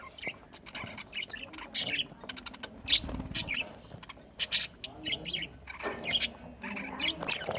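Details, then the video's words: Several budgerigars feeding, recorded November 1, 2023 in Larkana, Sindh: a busy stream of short, bright chirps and twitters overlapping, with scattered clicks and soft scraping from eating in the background. "Bueatiful Birds Eating budgies Parrots Bueatiful Sounds"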